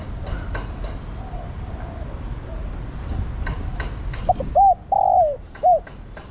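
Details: Spotted dove female calling the male, a single cooing phrase near the end: two short arched notes, a longer sliding coo and a final hooked note, after several seconds of quiet clicks and rustling.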